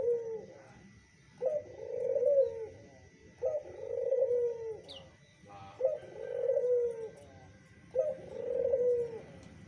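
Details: Zebra dove responding to a played lure: five low, rolling coo phrases, each opening with a crisp note and swelling for about a second, repeated roughly every two seconds, with a few brief clicks between them.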